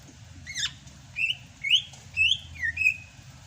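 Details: Rainy-season singing from a Sumatran greater green leafbird. A falling whistle, then four clear slurred whistles roughly every half second, each rising or falling, over a faint low hum.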